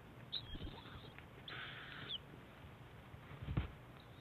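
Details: Two owlets compete for food as their mother feeds them at breakfast, 7 a.m., 7 March; harsh rasping hisses in short bursts, one long rasp in the middle, over low rumbling background noise.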